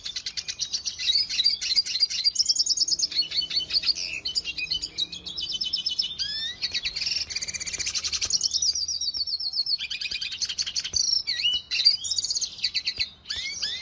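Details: Venezuelan goldfinch song, kept by a breeder's aviary: a long continuous high twittering run of fast trills, buzzy rattles and sharp chips, delivered almost without pause, with brief gaps near the middle and end.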